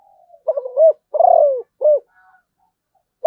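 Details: Spotted dove of the Malaysian type: a single three-part cooing phrase, a wavering low coo, a longer rolling purred coo falling at the end, then a short final coo, in a quiet setting.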